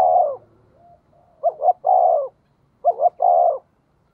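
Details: Spotted dove lure call in the "giọng thổ" style: a long coo, soft murmuring, then two phrases of a quick double coo followed by a sustained falling coo.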